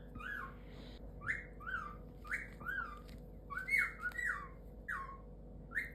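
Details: Snuggly male pet galah indoors repeats short whistled notes, each rising then dropping, about every half second to second, with a steady low hum beneath.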